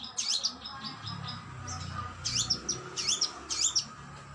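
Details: Oriental magpie-robin (kacer) in a training recording: scattered sweeping, slurred whistles, with a cluster of louder twisting phrases near the end, over a faint hum.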